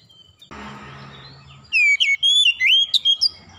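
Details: After a short burst of low noise, an Oriental magpie-robin calls with a loud series of sweet, slurred whistles and quick chips, rising and falling for about two seconds.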